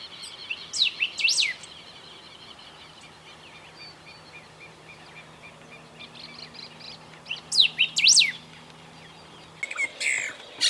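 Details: Golden-billed saltator song recorded at Esperanza, Santa Fe, Argentina, 2020: two bursts of high, steeply rising and falling whistled notes, near the start and around eight seconds, separated by quiet with a faint steady hum.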